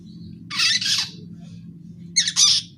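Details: Young long-tailed shrike, a fledgling learning to sing, giving two bursts of harsh, broadband squawking notes high in pitch, separated by a pause of over a second, over a low steady hum.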